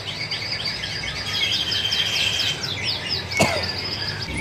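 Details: A caged sunbird at a bird shop, in full singing form, pours out a fast, high twittering song of thin sweeping and trilled notes, steady throughout, with one sharp click and faint background noise.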